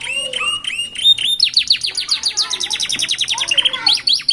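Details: Canary fledglings singing by the roadside in a distinctive rhythm: a few clear whistled notes open, then a rapid run of repeated sharp downslurred chirps, bright and high, continues steadily throughout.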